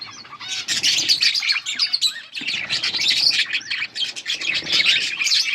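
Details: Group of yellow budgies chirping, dated August 18, 2024: continuous lively warbling with quick repeated twittering notes and squeaks, dipping briefly past two seconds before carrying on.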